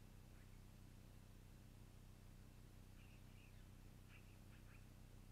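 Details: Evening at a long-eared owl nest, 12-04-2018: after a quiet opening, short squeaky calls come in pairs and small groups from the middle onward, set against a steady low hum.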